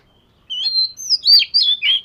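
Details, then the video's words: Singing practice of an Oriental magpie-robin, scaly-patterned form: after half a second of silence, a rich run of varied whistles, a sustained high tone, then slurred warbled notes and a descending whistled flourish in quick succession. "Chòe Than Vẩy Cá Hót Giọng Siêu Hay-Luyện Giọng Chòe Than Hót Hay Mỗi Ngày-Suara Burung Kacer Gacor"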